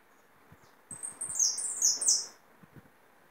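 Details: Hooded siskin, a trapped songbird, sings a rapid, high twittering phrase of thin, bright notes lasting about one and a half seconds, with soft clicks and faint background noise before and after.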